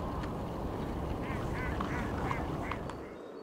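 Hooded Crow giving a quick run of short, harsh, nasal caws, about three or four a second, over a steady low rumble of wind.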